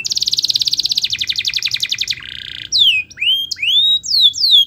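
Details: Canary song used as a lure to prompt lazy, silent canaries into singing: a fast buzzy trill slowing into separated pulses, a short rattle, then loud clear whistles sweeping down and up.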